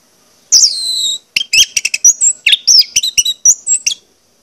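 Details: Orange-headed thrush song meant to make birds sing actively: a drawn-out high whistle, then a rapid sequence of sharp clicks, chirps and sliding high notes.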